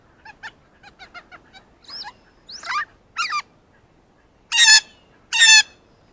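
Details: Blue jay excited by its first ripe banana runs through a variety of calls: a rapid string of clicky notes, then rising whistled slurs, then two loud harsh rasping screams, close to the microphone.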